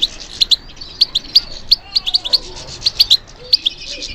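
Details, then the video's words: European goldfinch singing when stimulated: a steady series of crisp, high chip notes and quick twitters, evenly spaced roughly every third of a second, with a faint continuous chatter behind. "How to encourage the goldfinch to respond to stimulation"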